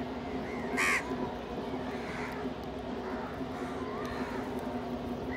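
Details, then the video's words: Crows gathered to feed together with a pigeon: one loud, rasping caw stands out, followed by softer, more distant caws from the flock over a continuous low hum. "Crow ki awaz naturally"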